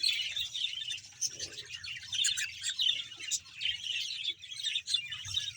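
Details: Many budgerigars, about 100 pairs housed as a colony in Bahawalpur, keep up a busy chattering of squeaky chirps and buzzy warbles, swelling and fading in short waves.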